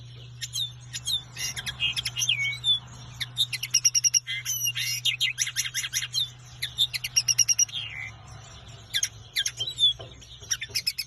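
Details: Common linnet (Carduelis cannabina) in song: rapid jumbled twitters, clear piping notes and dry trills, tailing off into sparse clicks near the end; low steady hum beneath.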